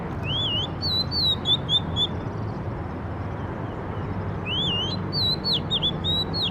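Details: Bird song in two bursts: a rising whistled note followed by a string of clear, warbling, slurred whistles, first phrase near the start and a second after a pause, over a steady low background rumble.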